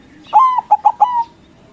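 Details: Loud song of a white local zebra dove, used to goad rival doves to reply. One quick phrase of a long coo, two short notes and a trailing long coo over quiet background.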